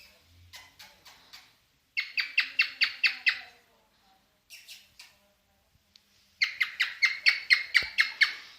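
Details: Cockatiel in mating mood alternates bursts of harsh, rhythmic falling notes with brief soft chirps and pauses, the final phrase loudest with around ten rapid notes.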